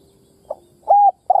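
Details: Decoy spotted dove kept to prompt newly caught birds to call: a faint clipped note, then one even, flat, hollow coo, and the start of a second coo cut off at the end.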